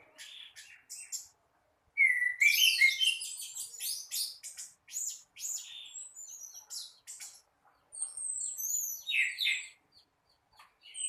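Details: Orange-headed thrush singing in the morning: a few scattered high notes, then a loud, dense cascade of sweeping whistles and chirps, followed by sparser phrases with short silences.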